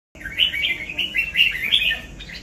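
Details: Red-whiskered bulbul of the 'cọp' type singing a rapid run of bright, warbled, slurred notes, rising and falling in quick succession with little pause, over a quiet background.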